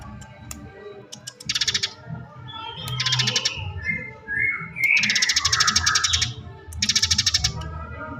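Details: Fighting Eurasian tree sparrow delivers short rolling bursts of quick bright chirps, with a longer run in the middle, over a low murmuring background and some softer warbling notes.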